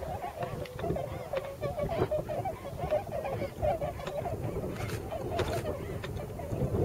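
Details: Flock of wintering tundra swans feeding in farmland of the Nogi plain, Yasugi, Shimane, Japan; clear bugling, wavy honks overlap in quick succession, some standing out nearby, above a background of wind noise.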